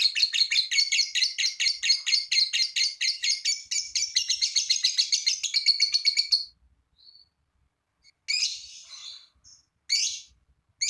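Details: Lovebird's long trill to prompt others of its kind to sing: a fast, rasping chatter of high notes for about six seconds, then silence broken by two short harsh bursts.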